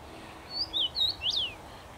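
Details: Song of a common rosefinch perched in a tree, recorded 23 May 2021: a brief clear whistled phrase of four notes, the final note the strongest, sweeping up and down, against quiet background noise.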